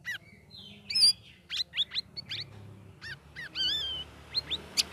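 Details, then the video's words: Sooty-headed bulbul in captivity, three weeks into group training, delivering lively twittering song. Quick upswept chips repeat in short runs, then a long wavering whistle and a few bright high notes, with steady low hum behind. "CUCAK RAWIS NGERIWIK NGEPLONG"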